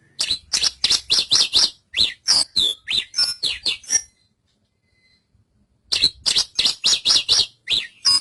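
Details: Javan bush lark singing two bursts of rapid, high, scratchy chirps and short slurred notes, the bursts separated by a silent pause of about two seconds.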